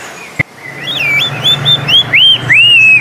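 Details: Coleto, known locally as kuling, from the Philippines. A single click is followed by a run of wavering, looping whistles that rise and fall, getting louder toward the end, over a low background hum.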